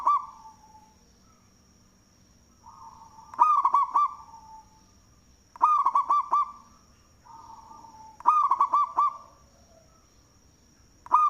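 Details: Local zebra dove with a strong voice, singing, a good lure bird: four bursts of rapid looping coos, about four notes each, at fairly even intervals, with soft droning tones between them and a steady high whine throughout.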